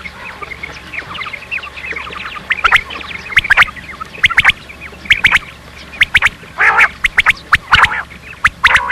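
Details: Rain quail calls from a recording played to lure quail for hunting: loud, sharp, repeated notes in irregular bursts, set over a dense background chatter of many other bird calls.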